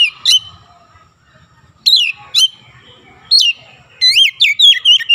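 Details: Loud song of an oriental magpie-robin that includes Javan myna imitations: spaced sharp upslurred whistles, then a fast closing series of looping, rising-and-falling notes.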